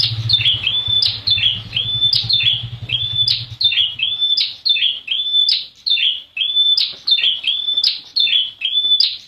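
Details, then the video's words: A prenjak wulung prinia gives sharp, high, chipping notes, two or three a second, in a steady run, used as a lure to make other prinias call; a low hum sounds underneath for the first few seconds. "Suara Prenjak Wulung"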